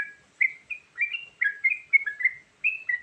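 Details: Yellow-vented bulbul 'isian variasi' lure song: a string of short, fluty, up-and-down chirps in close succession after a brief opening note.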